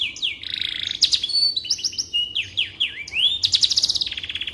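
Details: Canary singing as tutor material for white-rumped shamas, a dense run of swooping whistles, sharp chirps and fast rattling trills high in pitch, ending on a buzzy rapid trill.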